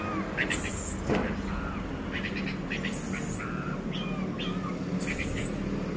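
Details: Orange-headed thrush in a shaken cage, singing 'teler': three piercing, very high drawn-out whistles spaced about two and a half seconds apart, with soft lower chirps and slurred notes between them over a quiet background.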